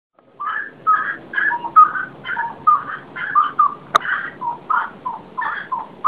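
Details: Unidentified bird singing before dawn: mellow whistled phrases, short warbled notes repeated about once a second, with a single sharp click midway and faint low background hum.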